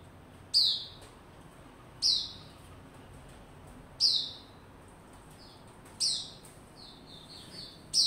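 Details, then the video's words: Kept white-rumped shama warming up and building form, recorded 27 December 2021; piercing high downward-slurred notes recur roughly every two seconds, with faint soft chirps between them near the end. "cranking up buka form & sing - build form"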